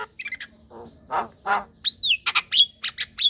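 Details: Black-winged myna, a chattering, lively bird used to lure young mynas into calling: short chirps, two harsh rasping squawks, then sharp whistled notes and clicks.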